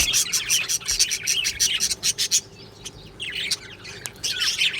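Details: Many budgerigars in a colony aviary, 22 June 2025: loud bursts of rhythmic high chirping for about two seconds, then a quieter spell of scattered twitters before the busy chatter picks up again.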